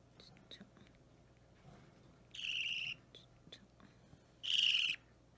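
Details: Hand-fed three-week-old baby budgerigar begging during feeding, March 2017: two buzzy, grating squawks about two seconds apart, with soft clicks and faint handling noises between them.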